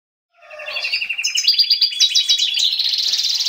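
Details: A European goldfinch in breeding condition, said by its owner to mate with canaries, sings a fast, tinkling twitter: bright chips and buzzy trills run together, rising into a high, liquid warble, with no other sounds.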